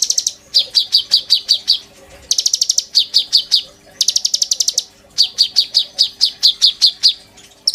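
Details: Konin singing as a song tutor for white-rumped shama, sujud style: repeated bursts of fast high trills alternating with quick sequences of piercing descending notes, phrases separated by brief gaps.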